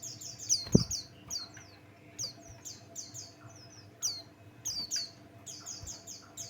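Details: Pleci Buxtoni white-eye singing a lure song meant to provoke other birds into song: rapid high-pitched, down-slurred chirps in quick bursts, with a brief low thump near the start and faint background hum.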